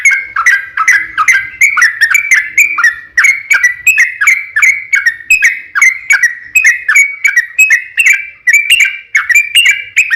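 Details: Yellow-vented bulbul in an unbroken, lively long song used to coax other bulbuls into replying; rapid chain of bubbly whistled notes with small pitch dips, evenly paced throughout.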